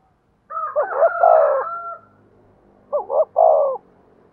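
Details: Decoy spotted dove with a thổ-style voice calling a long phrase of looping coos with an overlaid higher steady tone, then a shorter double coo and a held final note.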